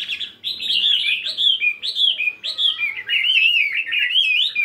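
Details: Chinese hwamei, caged fighting bird of 72 grams, in morning singing practice: continuous loud whistled song of repeated rising-then-falling phrases, fluid and tone-shifting.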